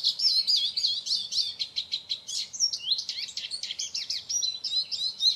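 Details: Eurasian siskin (Carduelis spinus) pouring out a rapid, jumbled high twitter of chirps, trills and squeaky slurred notes without a break. A steady low background rumble runs beneath throughout.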